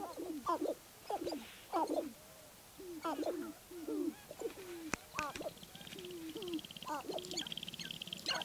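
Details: A chorus of sharp-tailed grouse, recorded at Baudette, Minnesota, mixes cooing, rising and falling notes with rough clucks, several birds overlapping, while a faint high buzzing drone enters near the end.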